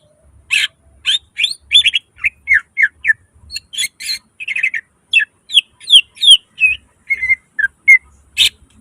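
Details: Greater green leafbird in continuous 'full nembak isian' song with mimicry: a brisk series of loud chirps and descending whistled slurs, mixing harsher and clearer notes.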